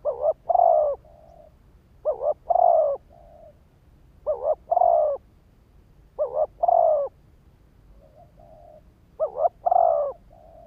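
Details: ['Spotted dove decoy bird calling to stimulate wild birds: five loud cooing phrases about every two seconds, each a quick double note then a long wavering coo and a soft short tail, over quiet low background hum.']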